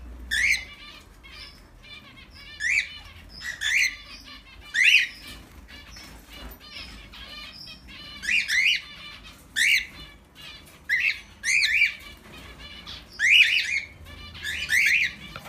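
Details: Cockatiels at bedtime give bright, harmonic chirps in short bursts, with a second or two of quiet between them.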